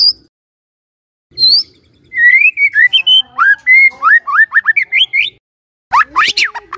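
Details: White-rumped shama song played in the morning as a lure to get a silent shama singing: a run of clear, sliding whistled notes in quick succession after a silent gap, ending in a burst of harsh, buzzy notes.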